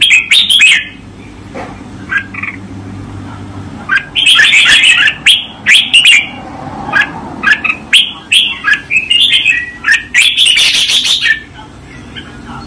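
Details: Master song of a red-whiskered bulbul used for training, with lively liquid warbles and chirpy notes in rapid runs, louder dense phrases midway and near the end, and a faint low hum behind.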